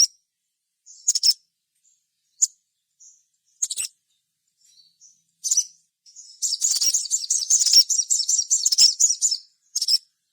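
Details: Sogon gacor lure song: sparse sharp high chips early on, then a sustained, dense rattling trill of shrill notes lasting about three seconds, ending with a final chip.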